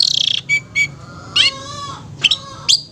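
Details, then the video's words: A long-tailed shrike's bright, high song: rapid stuttering chatter, short sharp notes, a harsh call sliding into a falling whistle, and more scratchy bursts, played as therapy to provoke stressed or silent shrikes. "Terapi Suara Cendet NGETET untuk pancingan Cendet STRESS dan BISU"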